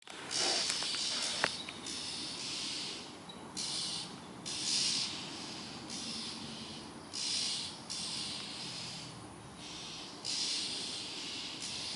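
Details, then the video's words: A scared Oriental magpie-robin gives harsh, hissing rasps, about seven short bursts spaced every one to two seconds, over a faint steady background hiss. "Oriental Magpie Robin bird scared screaming"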